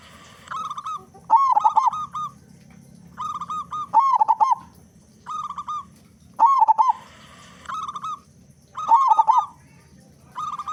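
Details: Big-voiced local zebra dove singing eagerly; the song serves as a lure for other doves. Repeated phrases of soft steady coos, then louder rolling, trilled bursts, coming roughly every two seconds in a steady rhythm.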